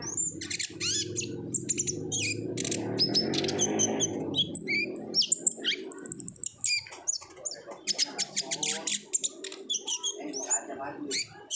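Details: Olive-backed sunbird singing in a vigorous 'gacor ngobra' chattering style, used as a lure to get other sunbirds to sing: rapid high thin chips, trills and short whistles in dense bursts, over a low murmuring background rumble.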